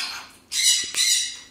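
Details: Pet blue-and-yellow macaw (Ara ararauna), being told to calm down and stop scolding, gives a softer raspy call then two loud, harsh, grating squawks about half a second apart.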